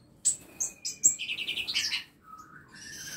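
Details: Birds kept in a home aviary built in a small space, giving a quick mix of high chirps, short whistled notes and a rapid trilled run of buzzy syllables, several voices overlapping.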